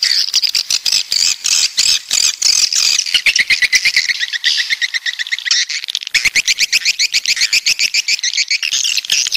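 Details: Coastal swiftlets from the south chatter in a crowded chorus of shrill, squawky chirps over rapid ticking clicks, thinning briefly near the middle before rising again into dense twittering.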